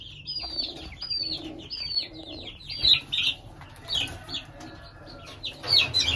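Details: Shamo (fighting breed) chicks, one having escaped a handler's grip and squabbled with another, give high, thin, downslurred peeps, repeated in quick uneven bursts.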